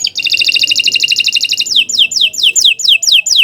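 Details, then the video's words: Canary giving a loud, long song: a rapid trill of repeated high notes, followed by slower falling whistles spaced about three per second. "Kicau Burung Kenari II GACOR PANJANG"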